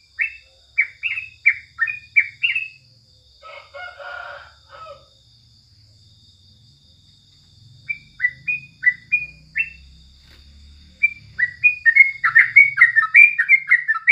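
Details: Bulbul song in the morning: quick series of rising whistled notes, a brief burst of harsher mixed chatter, quiet low rumble, then renewed whistled phrases building into a dense, fast ending.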